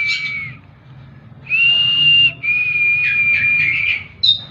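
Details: Oriental magpie-robin singing long sustained clear whistles, held notes broken by short pauses, ending with a brief higher note.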